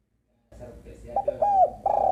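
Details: Female spotted dove calling: soft low hoarse coos, a short stuttering pair followed by a longer drawn coo and the start of another, with faint background rumble.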